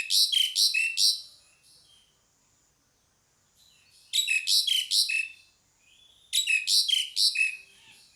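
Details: Pied myna calling in three bouts of rapid, rasping squeaks, roughly two per second. Each note slides down into a thin whistle, with quiet pauses and faint whistles between bouts.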